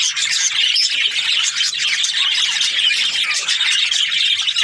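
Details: Chirping budgerigars from breeding pairs, many birds twittering at once in a bright, high, unbroken stream of short chirps and warbled notes.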